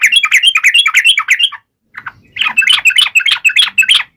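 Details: Yellow-vented bulbul taunting an opponent, pouring out two quick runs of jumbled, bubbly warbled notes with a brief gap between them.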